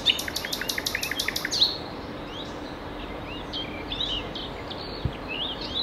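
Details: Common nightingale singing at Ostravice, Ostrava, Czechia, on 27 April 2019 at 11:20, recorded with a Panasonic Lumix GH5: a fast series of about ten loud, sharp repeated notes, then softer scattered whistles from other birds.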